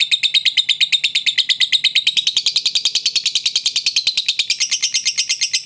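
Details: Lovebird song meant to rouse a silent bird into singing: a fast, steady stream of high buzzy chattering notes, about one and a half per second, continuous and scratchy throughout.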